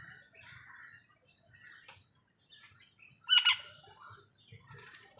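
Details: Crow squabbling with wild birds over food: one loud, harsh, ragged caw bursts out midway, surrounded by soft chattering and chirping from other birds and a low background rumble.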